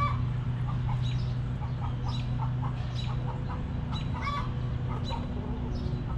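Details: Backyard hens in a coop give short, soft clucks repeated every half second or so, over a steady low hum and background rumble.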